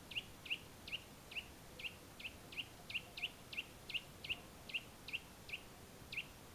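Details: Eurasian nuthatch singing in the Valle del Tiétar, Sierra de Gredos: a series of short, sharp whistled notes repeated about three times a second, around fifteen in all, over a faint steady hiss.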